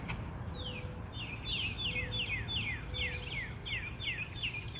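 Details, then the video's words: Wild birds singing in a backyard in the morning while an Alaskan Malamute watches from his deck: a dozen high, thin whistled notes, each sliding steeply downward, repeated in quick succession over a steady outdoor hiss. "the birds singing to you? What"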